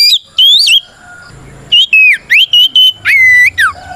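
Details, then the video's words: Oriental magpie-robin in full 'gacor ngeplong' fighting song, used to challenge rivals: loud, clear whistled notes sliding up and down, sharp rising slurs and level whistles in quick bursts separated by short silences. "Suara Burung kacer gacor NGEPLONG tarung"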